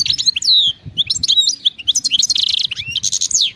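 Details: A wild European goldfinch sings continuously: quick tinkling, twittering notes and downslurred whistles run together with dense buzzy passages throughout.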